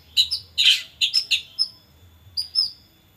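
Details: White-rumped shama song used as a training lure for birds: a rapid jumble of high whistled and chirping notes, with a dense burst near the start and sharp fragments later, no other clear sounds.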